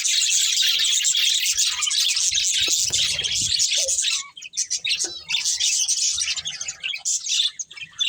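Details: Loud, steady high chattering from a budgerigar breeding pair for four seconds, then breaking into shorter separate chirps and warbled bursts.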